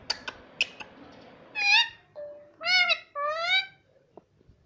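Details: Pet parrot talking indoors, producing several drawn-out, nasal, voice-like phrases with strong tonal overtones, some steady and some wavering, after a few sharp clicks.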